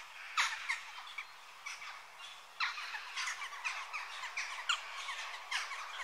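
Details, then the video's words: Western jackdaws calling in a group, with short harsh chak notes overlapping and sounding in scattered bursts, some louder calls standing out near the start and middle. "Jackdaw Bird Call Bird Song"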